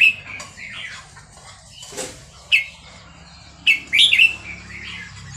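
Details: Red-whiskered bulbul, Burmese type, Dan Singkhon, Thailand, gives short, clear chirped notes and a quick warbled phrase near the end. Quieter chirps come early, with a brief rustle or flutter in between.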